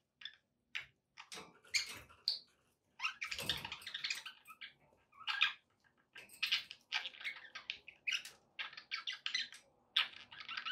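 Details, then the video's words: Pet budgerigars chattering indoors, offered as company to encourage a pet parrot to eat and sing; dense bursts of scratchy, buzzy warbling and short clicks, broken by brief pauses, with a faint low hum beneath. "budgie sounds to encourage your parrot to eat and sing"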